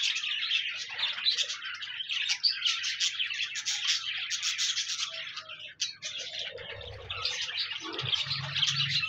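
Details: Pet budgerigars singing to encourage a lonely budgie to join in: lively chirping warble of quick squeaks and buzzy trills, several birds at once, fading briefly near the middle before resuming, over a low background hum.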